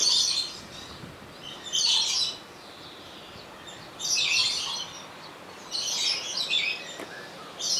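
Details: Rainbow lorikeet in Opole Zoo, captured on a Sony HDR-XR160E camcorder: shrill, harsh screeching bursts, each about half a second long, coming roughly every two seconds with quiet gaps between.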